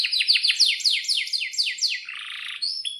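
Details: Singing canary, used to coax silent canaries into song: about ten quick descending whistled sweeps in a row, followed by a harsh buzzy trill and a final high note.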